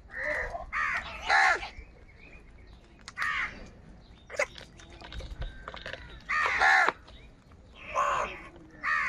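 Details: Morning crows contesting food give loud, coarse caws, several in tight pairs, spread across the clip with brief quiet spells and light background clatter.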